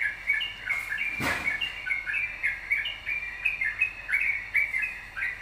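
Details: Yellow-vented bulbul singing vigorously, used as a lure to prompt other birds to sing: a steady stream of bubbly, chattering phrases of short warbled notes, with one sharp broadband knock near the middle.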